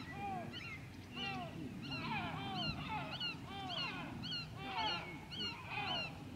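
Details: White-tailed eagle at Grönvik, Ornö, recorded 16 July 2024: a series of yelping notes that arch up and down, repeated about once a second and overlapping one another, over a steady low rumble.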